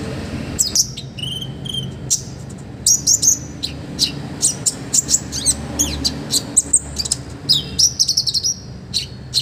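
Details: Olive-backed sunbird song, lively and full of rich fill phrases, as a tutor recording for training other birds: a low whistled note, then long runs of rapid, very high sharp chirps and short trills.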